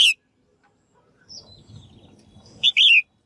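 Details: Female bird calling to stimulate males to sing: the tail of one phrase opens, then after faint low background noise comes a clear chirp followed by a wavering, descending harmonic note.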